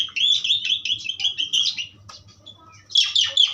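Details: Rapid repeated whistled chatter from an Asian pied starling in powerful pastol song, a steady pulsing phrase for two seconds, a short lull, then a burst of harsh squeaky notes.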